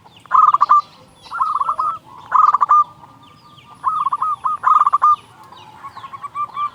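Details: Local zebra dove singing loudly, a lure recording meant to stimulate quiet doves. Short clusters of quick, throaty cooing notes come in about five separate bursts, separated by brief pauses over soft background hiss.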